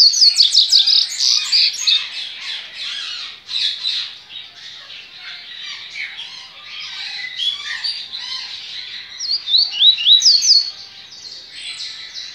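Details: Caged male Bahian double-collared seedeater recorded at a licensed breeder on 23 November 2019, singing a long, fast, jumbled series of high chirps and sliding notes, loudest at the start and near the end, with no other clear sounds.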